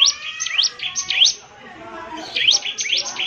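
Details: Bar-winged prinia (ciblek semi) singing: a few scattered rising, sweeping high notes with thin tones between them, separated by a quiet stretch midway.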